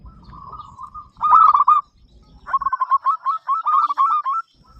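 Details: Frequent-singing local zebra dove whose loud song invites other doves to join in. A soft, steady coo leads into a burst of rapid gurgling notes, then a longer run of bouncy, stepped coos; low rumble early on.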